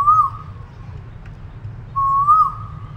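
An Asian koel gives two clear, mellow whistled notes about two seconds apart, each rising slightly and then holding steady, over a low background rumble.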